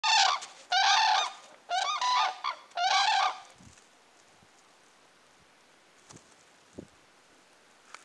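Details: Pair of common cranes calling in duet: four loud, trumpeting, rolling bursts in the first three and a half seconds, then quiet with a few faint knocks.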